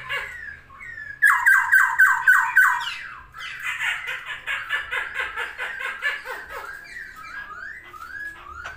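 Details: Masked laughingthrush singing while spreading its wings: loud series of about six harsh slurred notes falling in pitch, then a rapid chattering burst and a string of rising whistled slurs fading out, indoors.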